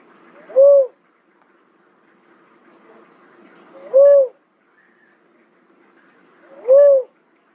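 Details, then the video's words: Three evenly pitched, rounded hoots from a cuckoo-dove, each brief and arched, repeated roughly every three seconds against a quiet background. "cuckoo dove call sound"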